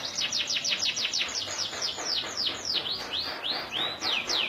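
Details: Local canary singing continuously in a long, clear performance: a bright series of high whistled notes, each sweeping downward, delivered rapidly at first and then in wider, looser slurs, against a soft background hiss.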